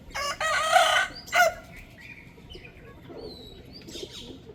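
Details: Rooster crowing, a behaviour linked to showing territory to other males and drawing females: a loud, harsh, drawn-out crow phrase with a brief final note, then quieter background with faint bird chirps.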